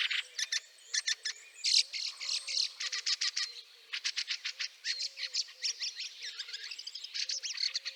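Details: Fieldfare in snow at Liepāja, Latvia, in March 2023, giving harsh, dry chattering calls in rapid bursts of clipped notes, pausing briefly between runs, with a faint low repeated tone beneath.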